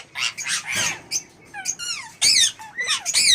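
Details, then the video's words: An imported pet Indian ringneck (rose-ringed) parakeet gives harsh, screechy squawks and chattering notes, some rising and falling, in an irregular burst of about a dozen calls. "Indian ringneck parrot"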